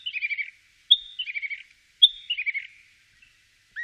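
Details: Common starling at Wittlich, 2017: a clean, repeated motif of a bright, sustained high whistle followed by a quick burst of pulsed, chattering notes, given three times about once a second, with no background noise.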